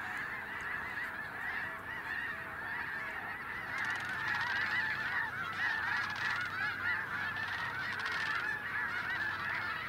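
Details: Huge flock of snow geese swirling down onto fallow cornfields or wetlands, a dense unbroken cacophony of overlapping nasal honks, continuous and loud throughout with no pauses.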